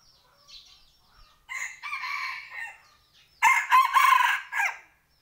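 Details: Rooster crowing at home: a faint early call, then two loud, harsh, drawn-out crows, the last and strongest lasting over a second and ending in a falling tail.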